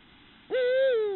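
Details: Eurasian eagle-owl of subspecies Bubo bubo hispanus at night, during mating as a receptive female accepts the male; one drawn-out, steady, mournful tonal note with rich overtones, slightly falling at the end, after a quiet start.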